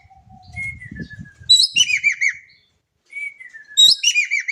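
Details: An Indonesian Javan kingfisher, recorded for use as a lure, calls twice. Each call is a sliding whistle, then a loud rising note and four rapid chattering arcs that drop in pitch. There is faint low rumbling early on.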